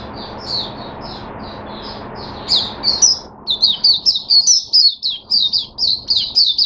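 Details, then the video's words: Caged Oriental white-eye breaking into song: a few soft high chirps, then a fast, loud series of sharp twittering notes, roughly two each second, high and bright, with faint low hum. "Mata Puteh Hercules V1 buka sing"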